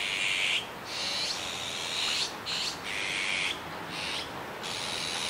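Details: Young azure-winged magpie recorded 17 July 2019 in Kiba Park: a series of rough, breathy screeches, roughly five drawn-out bursts separated by short pauses, steady and fairly loud.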